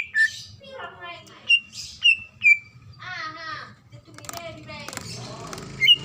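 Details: Calling female greater green leafbird seeking a male, used to lure other leafbirds: a handful of clear, slurred whistles spaced about half a second apart, followed by a burst of harsh, noisy chatter and clatter.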